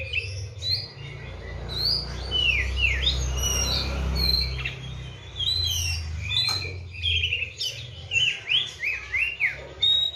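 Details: Oriental magpie-robin kept on seven crickets and twice-daily baths sings loud, varied whistled phrases with downslurred and upswept notes, quickening into a rapid burst near the end, low hum underneath.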